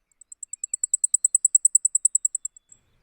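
Blackpoll Warbler song: a very high, thin series of about twenty-five rapid ticking notes that swells in loudness mid-way, then fades away.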